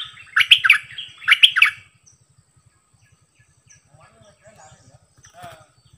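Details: Bulbul kept as a decoy bird, singing a varied repertoire: two loud, rich warbled phrases of rapid whistled notes in quick succession, followed by near silence with faint distant chirps.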